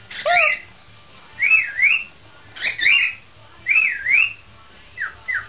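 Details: Pet parrot in a singing, improvising mood, giving a series of whistled notes near two kilohertz that slide up and down in swoops, mixed with harsher squawky bursts, in phrases about a second apart in a quiet room.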